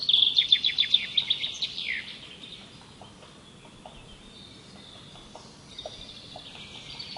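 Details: Rapid, high trilled song phrase of pulsing notes for nearly two seconds, dropping at the end. Softer, distant high calls and faint clicks follow in quiet surroundings.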